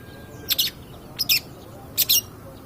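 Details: Long-tailed shrike, a 'pastol' type bird in full voice, recorded as a lure to provoke other birds: three short, harsh, broadband rasping bursts, each a quick double note, spaced about seven tenths of a second apart, over low background hiss.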